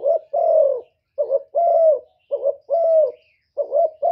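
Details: Spotted dove crowing in the thổ voice to challenge wild doves. Soft, throaty coos come in repeated pairs, a brief doubled note and then a sustained deeper note, without background noise.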